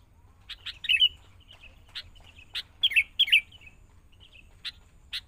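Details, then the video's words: Caged young wild sooty-headed bulbul in training with a lure bird, giving scattered sharp clicks between two brief bubbly, warbled phrases, with quiet pauses between them. "Proses.. Melatih Kutilang Mudah Hutan.."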